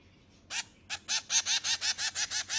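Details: Finch chicks begging during feeding, a quick series of about nine harsh, buzzy notes, speeding into an even rhythm after a short pause.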